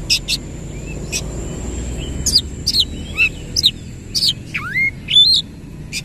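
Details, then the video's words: Oriental magpie-robin delivering a 'ngerol' rolling song with tail spread: scattered high chips, then swooping whistled slurs and buzzy notes, more sparse and with gaps, over low rumbling background noise. "KACER GACOR NEMBAK NGEROL FULL BUKA EKOR"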